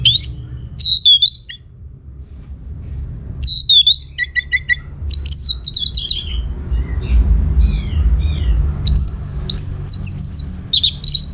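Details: Orange-headed thrush song used to get other birds to answer: separate bursts of sharp downslurred whistles and fast chattering trills with short quiet gaps, and a brief low rumble in the middle.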